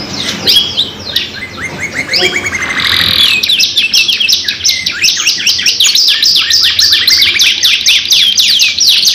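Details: Energetic canary lure song of the 2-in-1 kind. Softer mixed twitters at first, then a steady, loud run of fast repeated buzzy notes, more than three each second, continuing to the end.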